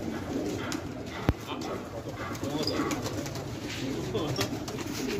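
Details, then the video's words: Domestic fighting pigeons kept in a village at Khanabad, Afghanistan, with low, soft, rolling coos murmuring under steady background noise, broken once by a sharp click. "کفتر های جنگی پرشی در خانه آباد"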